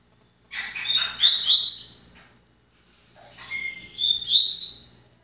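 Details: Seedeater song from a kept bird; two loud phrases of quick, high, slurred chirps rising into a ringing whistle, about three seconds apart.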